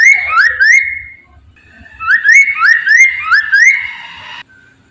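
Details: Chinese hwamei lure song meant to get other hwameis singing: a short whistled phrase, a pause, then a longer string of rising slurred whistles ending in a harsher, sustained note.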